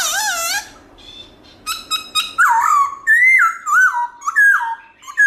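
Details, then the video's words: Black-throated laughingthrush with varied wild-style song: an opening warbled phrase, some sharp clicks, then a series of looping whistled notes of changing pitch. "Khướu bạc má HÓT GIỌNG RỪNG nhiều giọng âm to rõ cực hay"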